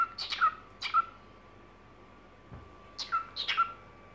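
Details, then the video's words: Cockatiel kept as a pet, singing in the evening: two short groups of harsh chirps tailing into clear whistles, split by a quiet gap, a faint low knock in the middle. "Вечерние распевки"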